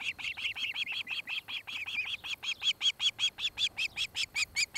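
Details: An osprey at a nest cam in Charlo, Montana, on 26 July 2018, late afternoon (about 17:00–18:00), gives a fast, steady, slightly intensifying run of high, whistled chirps, about three or four each second.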